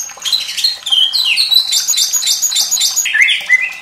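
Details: White-rumped shama singing in a fierce style for tutoring young birds: dense, varied warbling of fast slurred whistles at high pitch, closing with lower downward swoops.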